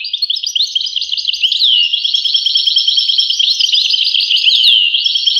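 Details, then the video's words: Continuous high, liquid twittering from a European goldfinch, quick tinkling notes and short slurs running together without a break. "voice carduelis- Tweets the birds. Tones a bird Goldfinch. voice goldfinch-"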